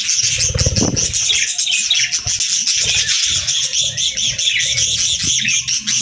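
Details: Cheerful pet budgerigars chirping as they eat their favourite food; a continuous, lively mass of high twittering and warbling from several birds, with soft crunching and tapping from feeding below.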